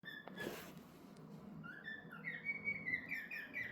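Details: Male pet cockatiel calling at his own reflection indoors: after a short thump, a series of bright, slightly rising whistled notes begins, running in quick repeated bursts through the last two seconds.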